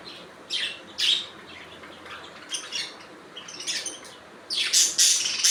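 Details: Budgies chattering with scattered scratchy chirps, softer in the middle, ending in a loud, harsh burst of rapid squawking notes.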